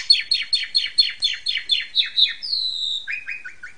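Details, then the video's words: Asian pied starling in vigorous song used to train caged magpie robins: a fast series of about ten harsh descending notes, one long high whistle, then a quick string of lower chirps. "RAJA TERAPI JALAK SUREN SUPER NGENTROK BIKIN KAGET KACER RUMAHAN"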